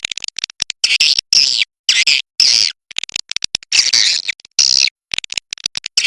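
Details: Cave swiftlet, labelled China type, with clipped buzzy chirps repeated at short intervals and flurries of dry clicks filling the gaps.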